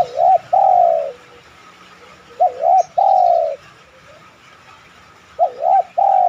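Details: Cooing spotted dove on a lure track meant to get other doves to coo: three regular phrases roughly every 2.5 seconds, two rapid undulating notes then a prolonged sliding coo, in quiet surroundings.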